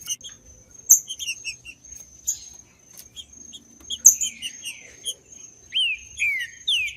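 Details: Green-winged saltator recorded in the bush, song meant to provoke captive males: after several seconds of small high chirps, rich slurred whistles sweep downward near the end, over a continuous high insect hum.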